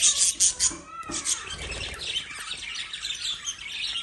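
Shrill, high chirps from lovebirds: three sharp bursts in the first second, then continuous overlapping chatter. A faint low rumble sits underneath.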